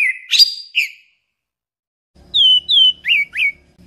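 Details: An orange-headed thrush sings loud, clear whistled notes, first a sliding trill-like phrase and then, after a pause, four quick down-slurred whistles in a row. A soft low hum lies underneath.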